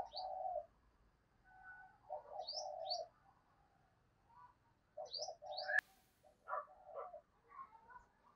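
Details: Caged decoy spotted dove calling to attract wild doves. Quiet, repeated low coo phrases of paired and drawn-out notes, with thin high chirps from small birds between them and a sharp click midway.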